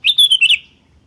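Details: Sooty-headed bulbul (kutilang) in an energetic lure recording of birds calling back and forth: one quick phrase of four clear, fluty whistled notes, slightly falling, ending in a fading tail.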